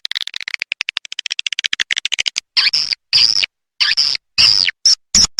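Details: A Leyung style edible-nest swiftlet call for attracting swiftlets: a fast train of dry clicks speeding along, followed by loud raspy, buzzy chirps in separate bursts.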